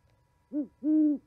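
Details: Owl at a Charlo, Montana osprey nest on a January 2020 winter night: a brief low hoot, then a longer drawn-out deep hoot, with quiet all around.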